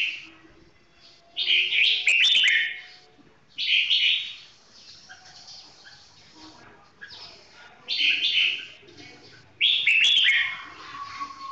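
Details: Red-whiskered bulbul, a 'golden voice' singer, giving slow, clear song: five loud, rich warbling phrases about two seconds apart, separated by quiet gaps.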